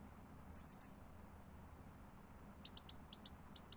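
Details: European goldfinch uttering a quick run of three sharp, high chirps, followed after a pause by a series of softer, fainter tinkling notes.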